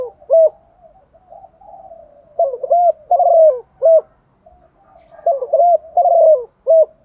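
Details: A female dove calls to attract a male, giving soft, low hooting coos in short bursts of two to four notes, with brief pauses between phrases; nothing else is heard.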